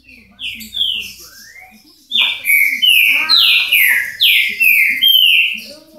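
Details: Song of an ultramarine grosbeak, Paraná: a few soft whistles, then a bright, hurried string of loud descending whistled notes, fading at the end.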